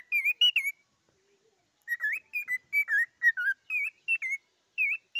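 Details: A cockatiel whistles a lively tune: two quick wavering notes, a short pause, then a string of about a dozen bright, slightly warbled whistles, some falling, spaced evenly in a quiet room.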